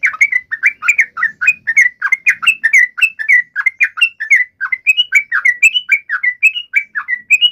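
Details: Provoked fighting call of a yellow-vented bulbul, used to make a bird answer instantly: a long continuous stream of quick, bubbly, slurred chirps with little pause, clean background.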